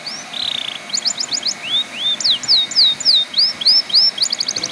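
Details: Canary song used to coax untrained canaries into singing. A buzzy trill, a few clipped notes, then a run of arching slurred whistles about three per second, ending in a quick rattle.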